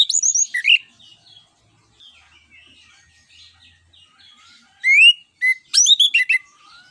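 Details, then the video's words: Singing orange-headed thrush in ngeplong style, used to stir other birds into song: an opening tumble of high slurred whistles, faint soft twitters in the middle, then a loud closing series of rising and falling whistled notes. "ANIS KEMBANG NGEPLONG UNTUK PANCINGAN"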